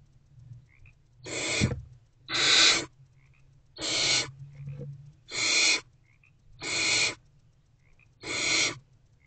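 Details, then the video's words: Hungry barn owl owlets in a nest box call for their absent mother at 6:00 pm on 3 March 2024: six harsh, breathy screeches roughly one to one and a half seconds apart, plus tiny faint chirps between. "Owlets Are Hungry and Still Waiting For Mom to Return"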